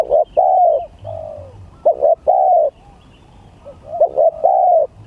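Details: Contest spotted dove cooing: soft, hollow, low phrases with quick stuttered notes leading into a drawn-out coo, three phrases with a brief pause between them.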